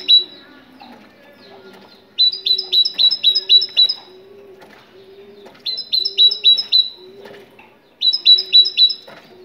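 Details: Song of a Moroccan great tit: three runs of sharp, high, paired whistled notes repeated rapidly, separated by gaps, over a steady low background tone.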